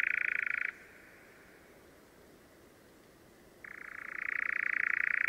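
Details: European (Eurasian) nightjar, Caprimulgus europaeus, in spring in southern Sweden, giving its dry, mechanical churr, a long rapid trill that stops briefly and resumes, shifting slightly in pitch; nothing else is heard.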